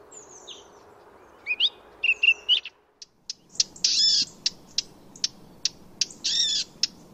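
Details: Wild Eurasian blackcap giving a couple of brief warbled whistles, then a series of hard, dry clicking tac notes at irregular intervals, some doubled into short rattles, over soft background hiss.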